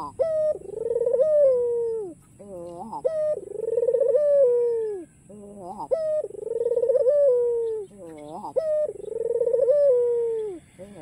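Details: Energetic cooing of a white black-collared ringneck dove, encouraging rivals to respond: four cycles of quick rising stutters, a short hoot and a long, quavering, descending coo, about every two and a half seconds.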